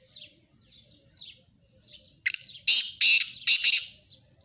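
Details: ['Black francolin (kala tetar): scattered faint high chirps, then a sudden loud, rasping burst of three or four harsh, broad notes in quick succession, ending with a short chirp.']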